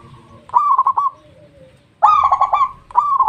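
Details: Zebra dove (perkutut), a local Indonesian bird, cooing: a quick stuttering run of soft, mellow notes, a pause, then a longer rolling phrase and the start of another; faint background hum.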